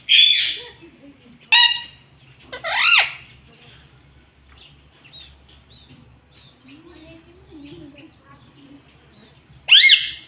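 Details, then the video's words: Pet parrot giving three loud, rising screechy calls about a second apart. A long quiet stretch with faint low murmurs follows, then one final sharp screech. "Talking parrot"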